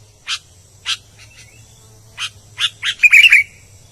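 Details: Lively song of an albino sooty-headed bulbul: a few widely spaced crisp chips, then a rush of rapid chips leading into a brief bubbly whistled warble at the close, over a faint steady hum.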